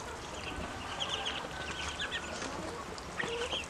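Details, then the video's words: Ducklings, grown and hungry, giving bursts of high, slurred peeps in quick groups, pausing mid-clip, then starting again with a brief lower whine. "Ducklings have grown and are making more sounds, especially when hungry"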